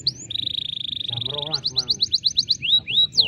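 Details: Canary singing a 'dor'-style tutor song to prompt other canaries: an opening upward slur, a steady buzzy trill of over a second, then evenly spaced sharp whistled sweeps and rising notes, with a low human voice beneath.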